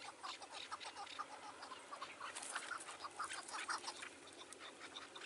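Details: Chukar partridges in the Turkish mountains in June near dusk give a dense run of harsh, clucking chuk notes, rapid and overlapping, with several birds seemingly calling together.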